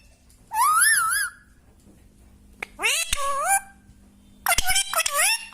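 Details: Indoors, a parrot sings in three phrases: a wavering, tremulous note, then notes sliding up into wobbling tones, ending with a choppy run of rising and falling whistles over a quiet background hum.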